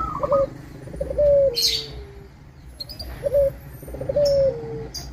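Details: A prolific local zebra dove used as a lure to stir rival zebra doves to sing. Two matching phrases: clipped stuttering coos followed by a bright note that slides into a long descending whistle, with sharp high clicks between.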